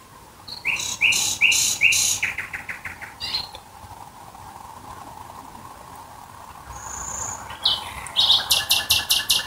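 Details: Nightingale night song near Dresden: bursts of loud, hard, evenly repeated clicking notes, a brief high whistle in a quiet gap, then another rapid rattling series, with a faint low hum throughout.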